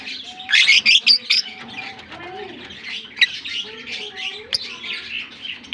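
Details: Shrill squawking from African lovebirds in a colony: a quick run of about five loud, harsh shrieks opens, then steady high-pitched chattering from many birds continues.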